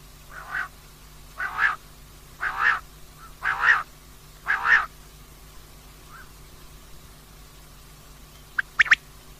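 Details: Female common quail calling, used for night hunting: five short harsh, rasping notes repeated about once a second, then a pause and a brief clicking burst at the end.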